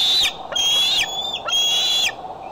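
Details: Bald eagles at the Decorah nest, captured by a nest camera on 6 July 2011: three long, piercing whistled notes, each held level and ending in a downward slur, over faint hiss.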